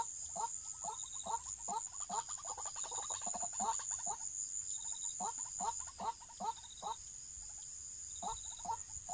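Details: White-breasted waterhen, recorded while being trapped, giving short, abrupt clucks in uneven bursts, with brief high chirps between them and a constant shrill insect drone behind.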